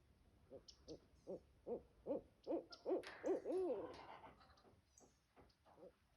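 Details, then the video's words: Barred owl calling in a backyard: a run of arched, hooting notes about twice per second that grow louder and closer together toward a drawn-out, wavering climax, then trail off into softer, fading hoots. "Barred Owl (Hoot Owl) In Our Backyard"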